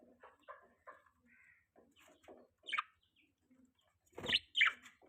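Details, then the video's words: Pet budgerigar during mating season, giving soft, scattered chirps and short warbled notes at irregular intervals, with a few louder, buzzier chirps near the end, all in a quiet indoor setting. "budgie chirping sound|budgie mating season|budgie beautiful voice"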